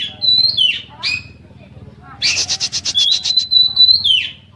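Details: Oriental magpie-robin in a full, varied song with imitated fills, meant to prompt other magpie-robins to sing: slurred whistles, then a rapid buzzy chatter running into a long, clear, high whistle that drops at the end, over a faint low hum.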